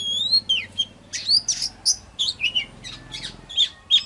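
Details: Oriental magpie-robin singing as a lure to call wild birds: scratchy, chattering whistles and short squeaky notes in an irregular run, over a steady low mechanical hum.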